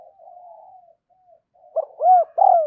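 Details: Spotted dove used as a decoy, calling to lure wild doves: a soft, low, drawn-out coo, then two louder, rounded, downslurred coos.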